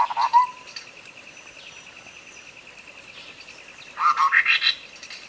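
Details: Tutor recording of a sooty-headed bulbul, meant to prompt a caged bird that has stopped singing: a brief gurgling note opens, then after a long pause comes a lively bubbling phrase climbing in pitch, with a continuous throbbing buzz behind.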